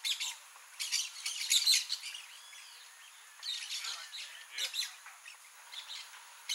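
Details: Wild blaze-winged parakeets (Pyrrhura devillei) in Mato Grosso do Sul, Brazil, give harsh, scratchy chattering calls in irregular bursts, with a few thinner whistled notes between them.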